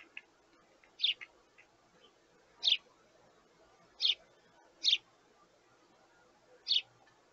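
A young sparrow gives five sharp, high chirps at uneven gaps of one to two seconds, begging for food over a faint low hum.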